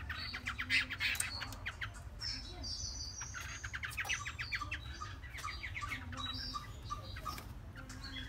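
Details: Caged Chinese hwamei, three months old, delivering a lively run of fast sharp chirps and short trills, varied and irregular, with brief high whistled notes and constant low background rumble.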